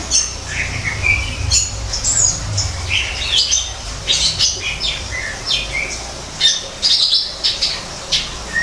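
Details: Greater green leafbird singing in an artificial forest aviary: varied bright whistled phrases, sharp rising and falling notes and quick chirps in irregular bursts, with a low steady hum underneath.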